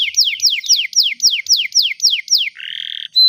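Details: Canary singing for tutoring young birds: nine evenly spaced downward-slurred whistles about four per second, followed by a buzzy trill and a thin high pure note.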